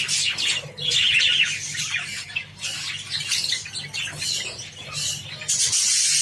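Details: A group of Java sparrows at a wheat feed: harsh, high squawking chirps pile up densely, fading briefly, then rise again into a loud burst at the end.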